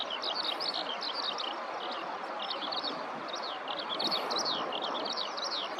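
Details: Eurasian skylark singing on the ground in a nearby rice field; bursts of rapid high chirps and looping whistled notes pour out in a continuous stream, with constant background hiss.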